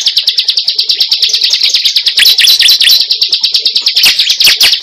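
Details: A cible bird, recorded as a lure for catching birds, gives a steady rapid series of high chipping notes, about two per second at first and then faster, broken midway by harsher twittering.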